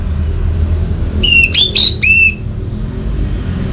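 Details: Orange-headed thrush song used to coax silent birds into singing: four loud, ringing, slightly harsh notes in quick succession, each with layered overtones, over steady low background noise.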